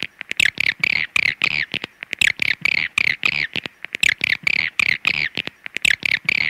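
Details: Swiftlet giving a call: a regular string of raspy, twittering chirps with a downward slur, interleaved with sharp clicks, repeated roughly every half second.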